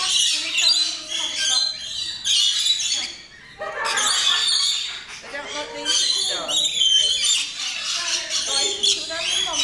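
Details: Captive rainbow lorikeet flock at feeding time in the Lorikeets Landing aviary, West Midlands Safari Park, UK; dense overlapping high-pitched screeching chatter, with a brief lull, while people talk in the background.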